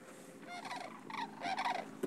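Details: Migrating Sandhill cranes (Antigone canadensis) in March in Nebraska's Sand Hills, where they roost on the Platte River, give rolling, rattling bugles in short overlapping bursts, several birds calling over one another.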